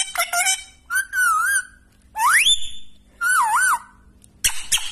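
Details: A pet Indian ringneck parrot, a talking bird, gives four bursts of whistled, wavering calls with a rising sweep and harsh clicks, about one burst per second, like speech-like babbling.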